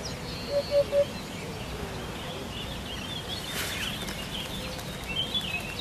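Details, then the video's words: Training recording of a hoopoe: one quick low triple hoot near the start, then quiet background hiss with faint distant bird chirps and a brief high whistle near the end. "MASTERAN PALING DICARI BURUNG HUT HUT INI SANGAT ISTIMEWAH SEKALI"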